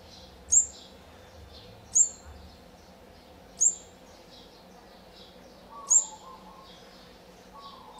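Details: Olive-backed sunbird at its nest during feeding of the fourth brood, day 14, 4 March 2020: sharp, very high chirps repeated every one to two seconds, soft buzzy notes between, and a steady low hum underneath.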